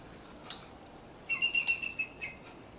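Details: Female eagle nestled in a tree near a lake in the Canadian Rockies, giving a short run of high, thin piping notes in quick succession after one brief opening chip, over light steady hiss.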